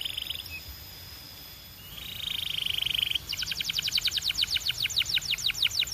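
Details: Belgian canary producing a sustained buzzy trill that swells in volume, then a loud rapid series of sharp repeated whistled notes about three per second.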